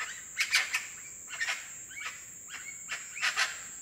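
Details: A collared forest falcon (Micrastur semitorquatus) beside a hiking trail gives a series of short, harsh, hollow notes about every half second, over a steady high-pitched insect hum.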